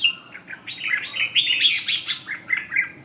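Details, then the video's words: Red-whiskered bulbul singing energetically just after waking, a rapid run of bright chirpy notes and short slurred whistles jumping between mid and high pitch, delivered almost without pause over a quiet low hum. "tó điên ngủ dậy"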